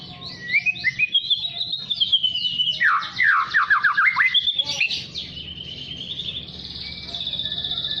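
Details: Young white-rumped shama learning to sing, practising rapid bursts: high whistled notes, then a run of quick downward-sweeping chips, then a long run of thin, high, buzzy trills.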